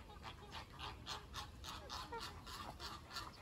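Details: American flamingos, the Caribbean flamingo, in a rapid run of hoarse, broadband honks, about three or four per second in a loose rhythm, with overlapping voices from several birds.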